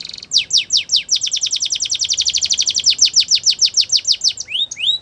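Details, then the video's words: Spanish Timbrado canary song for training: a long steady trill of rapid descending chips, about eight per second, closing with a few rising slurred whistles. "Spanish Timbardo Song For Training"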